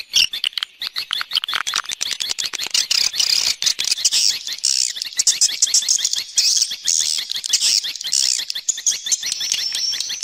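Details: Swiftlet external sound, 2020 set: dense, continuous high chatter of many rapid chirps and clicks, growing fuller midway, ending with a thin drawn-out whistle.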